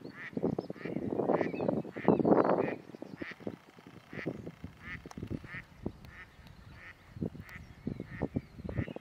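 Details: Ferruginous duck (Aythya nyroca) at the Hraški mlaki ponds, Hraše, on 26 March 2023, giving harsh, grating croaks in a busy burst, then irregularly spaced short rasping notes, with other waterfowl faint in the background.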